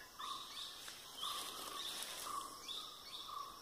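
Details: Birds singing in a coffee plantation in Kodagu, with short repeated warbled phrases about once a second, mixing mid-pitched and higher chirps over a dense, steady hiss of insects and other background birds.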